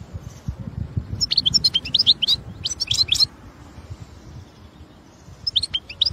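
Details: European goldfinch singing in the wild. Scattered bursts of sharp, high tinkling notes in two groups separated by a quiet spell, over a low rumbling background.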